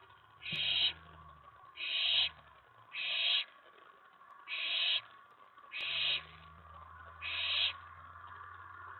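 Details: Excited owlet in a nest box on May 19 2017, late night, as an owl lands on the tray following a mouse delivery; six short breathy hisses, evenly paced, over faint low background hum.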